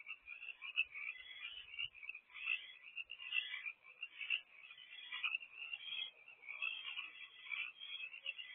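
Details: Owls calling at their nest box during a 7:24 pm food delivery: a steady stream of grating, hissy rasps pulsing in uneven waves, with faint low knocks early on.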